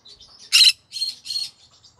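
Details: Green-cheeked conure in the evening, giving light high twitters, then one loud harsh screech followed by two shorter rasping squawks and quiet chatter.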